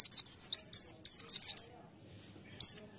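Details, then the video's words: A white-eye kept as a lure bird chirps fast, high and downslurred, ten or so notes in a rush before a short gap and one final chirp. "Pleci | Burung Kacamata bahan pancingan"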